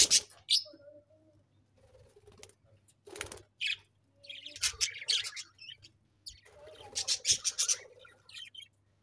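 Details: Budgerigars chirping in a busy chatter of sharp high notes, scratchy warbles and brief squawky bursts, with occasional soft lower tones and cage knocks.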